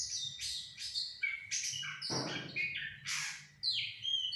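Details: Sumatran laughingthrush song played as a lure to provoke a reply: loud, high chattering phrases of bright chirps and rasping notes in quick irregular bursts, with one harsher broadband burst midway.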